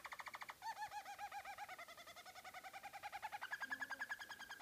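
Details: Harzer Roller canary, a German roller bird, singing a continuous rolling song of rapid repeated notes, about three to four per second, shifting between low hollow rolls and higher bright tours, steady and unbroken throughout.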